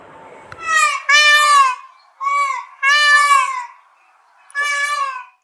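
A peacock gives four loud, nasal, wailing cries that rise and fall, in quick uneven succession with short pauses between.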